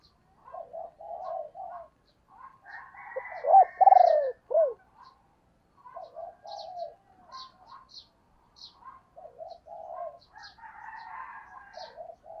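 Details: Decoy female spotted dove calling to attract wild birds, giving a long run of soft, low coos with one louder burst of pulsed, falling coos midway and faint high chirps scattered throughout.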